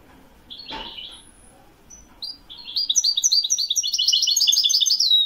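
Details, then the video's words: Moroccan European goldfinch, Widani song style, 2021: scattered thin chips and a short whistle give way to an accelerating, bright, buzzy twittering run that grows louder toward the end. "تسجيل طائر الحسون الويداني من أجمل الطيور لسنة 2021... le meilleur chant du chardonneret au maroc"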